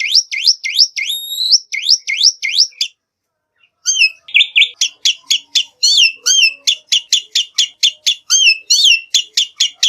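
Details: Song of a black-winged myna, kept for luring birds into singing. Repeated V-shaped whistled swoops come first, then a short pause, then a fast, even series of sharp chirping notes.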